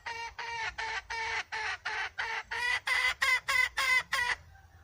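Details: Wild red junglefowl hen clucking loudly and rhythmically, about a dozen short, harsh, nasal notes roughly three per second, getting slightly quicker and higher toward the end before stopping.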